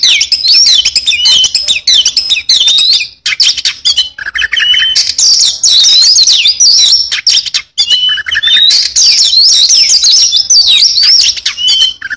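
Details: Oriental magpie-robin in full song with rich fill-in material: a nonstop stream of high whistles, twisting slurred phrases and rasping chatter, changing every second or two.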